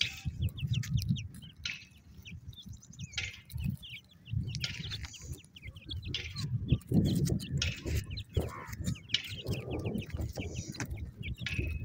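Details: Busy chorus of partridge chicks, with many brief high peeps and chirps overlapping almost continuously across the recording, set against low rumbling background noise and occasional knocks.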